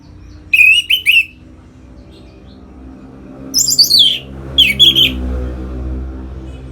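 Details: Orange-headed thrush singing in captivity, used to stimulate other birds; a few short whistled phrases, some sliding downward, spaced by pauses over a low room hum.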